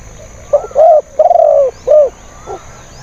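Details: Spotted dove used as a decoy to lure wild doves: short burst of low cooing notes, a clipped note then two long rounded coos and a fainter final note, all mid-pitched and hollow, over faint background hiss.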